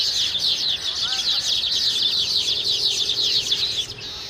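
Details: Baya weaver flock calling, a loud dense stream of rapid high chirps and buzzy twitters, with a short lower whistle near the start and the chorus thinning at the end.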